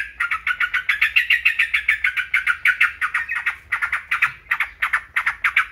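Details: A Yellow-vented Bulbul (trucukan) gives a fast, bubbling run of chattery mid-pitched notes, about three or four a second, over a faint low hum; the recording is offered as a training song to stimulate other birds.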